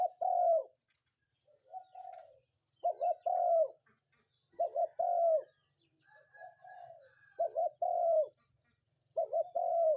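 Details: Morning cooing of a spotted dove. Hollow, mellow phrases of a stuttering double note plus a drawn-out coo repeat about every three seconds. Fainter cooing from another dove sounds between them.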